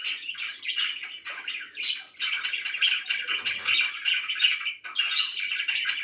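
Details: Pet budgie warbling indoors, a steady stream of grating, buzzy chirps and clicks broken by a few brief pauses, with a louder sharp squawk near the middle.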